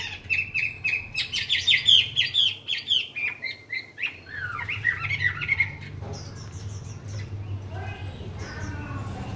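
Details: A tame, newly arrived caged Chinese hwamei, not yet in full form but singing well, gives loud, rich phrases of clear whistles and rapid slurred notes for about six seconds, then softer scattered chirps over steady hum.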